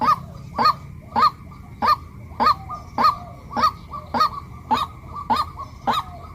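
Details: Female white-breasted waterhen repeating around eleven short honking notes every 0.6 seconds, set against a rougher, noisier background.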